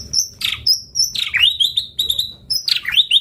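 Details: White-rumped shama song used as a lure: very high thin whistles alternating with sharp downward sweeps and quick chattering trills, dense and varied throughout.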